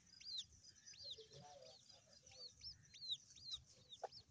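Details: Grey francolin chicks giving faint, thin, hooked chirps that rise then drop sharply, repeated about twice a second, over a steady low hum.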